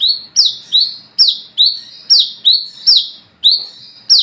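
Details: Night singing of an olive-backed sunbird, known locally as wiceh or kolibri kelapa, used to call and train others: steady series of bright, high notes that drop steeply then flatten into a buzz, roughly two per second.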